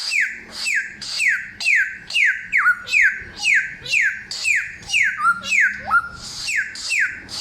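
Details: Steady series of loud, clear downslurred whistles from a samyong, roughly two per second, each sliding sharply downward, with a few lower hooked notes near the end and a faint low hum.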